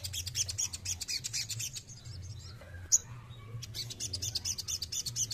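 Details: Rapid dense chattering of a male crested jay: bursts of high, scratchy chirps in quick succession, broken by a brief pause with one loud sharp note, over a constant low mechanical hum.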